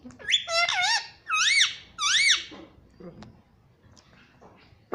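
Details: Pet parrot talking indoors, saying mummy in a high, squeaky, whistled voice: a quick run of rising and falling syllables, then two strong wavering phrases, followed by quiet room sounds and a soft click at the end.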